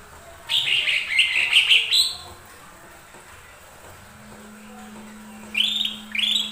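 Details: Lesser green leafbird, song used to provoke other birds to sing: a fast rippling run of high twittering notes for over a second, a pause with a faint steady hum, then two rising whistles.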